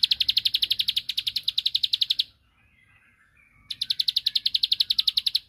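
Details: Ciblek, the bar-winged prinia, singing to bait a rival: a quick volley of high clipped notes, a pause of over a second with faint soft chirps, then the rapid series resumes.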